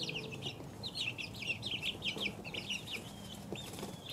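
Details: Two-week-old chicks peeping in a busy chorus of high, short, repeated chirps, many birds calling over each other continuously, with a faint steady hum underneath.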